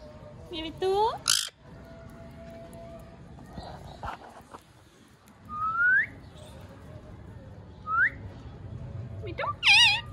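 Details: Pet parrot said to be speaking clearly; several loud, clear whistled notes, some rising sharply, others wavering, spaced a few seconds apart over a low background hum.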